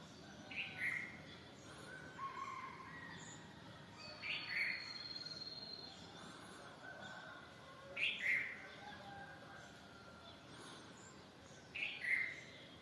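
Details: Bulbul singing: short, bright whistled phrases around a mid-high pitch, repeated about every three to four seconds over a quiet, steady background hiss.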